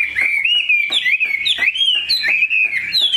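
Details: Chinese hwamei, a big pure-bred pet bird with a prized voice, whistling clear wavering phrases in quick succession. Each phrase bends up and down, with brief sharp accents between them.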